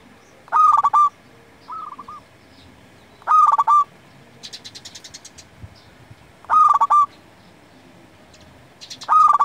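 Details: Zebra dove of local stock singing energetically for luring and tutoring doves: loud, clipped, rolling coo phrases repeat about every three seconds, with quieter stepped cooing series from another dove in the gaps.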